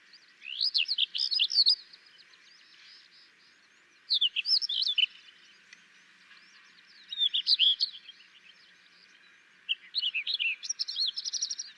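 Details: A Sykes's lark (Tawny lark, Galerida deva) in Gujarat, India, sings short, varied phrases of rapid high twittering and slurred notes, in four bursts about every three seconds, over a steady background hum.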